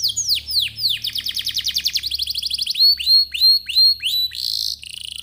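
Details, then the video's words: Canary singing to draw out other canaries: slow falling swoops, a fast rattling trill, then rising whistled notes and a buzzy roll, with a faint low hum beneath. "Kenari gacor, Apapun jenis jenis anda pasti akan terpancing bunyi dengan pancingan kenari ini"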